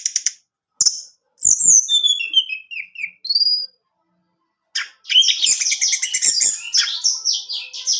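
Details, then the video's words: Orange-headed thrush in a song meant to set kept males singing: bursts of sharp, high, slurred notes, then a pause, a falling series of whistled notes, another silence, and a dense rush of rapid chattering, varied phrases. "putar Anis merah ini, Anis jantanmu pasti bunyi"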